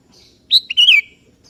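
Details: A 'kebo' sooty-headed bulbul singing to summon a rival that joins in: a single bubbly whistled phrase, a high sharp note followed by a rolling slur that drops at the close, in quiet surroundings.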